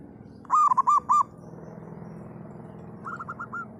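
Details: Loud-voiced local zebra dove: four bold, rounded cooing notes in quick succession, a long pause over faint background hum, then a soft trailing series of short coos.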